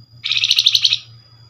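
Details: Flamboyan lure call, used to draw a reply from other Flamboyan birds: a single rapid buzzy trill of about eight quick pulses lasting under a second, high and harsh, with a steady low hum underneath.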